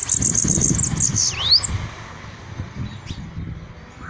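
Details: Bananaquit singing a fast burst of high, sibilant ticking notes that ends in a rising whistled slur, followed by faint high notes over low background noise.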